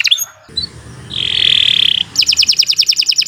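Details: Canary song used as a singing lure: a few short chirps, a steady high buzzy note, then rapid repeated twittering.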